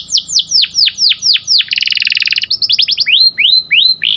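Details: Canary's melodious morning song: a series of loud whistles sweeping sharply downward, a rapid buzzy roll, quick chips, then drawn-out rising slurred notes repeated several times.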